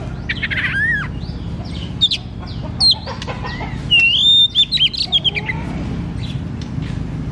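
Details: White-rumped shama kept in a cage, song played to coax a quiet shama into singing: long clear whistled notes, quick sliding twitters and scratchy elements, with a low droning hum underneath.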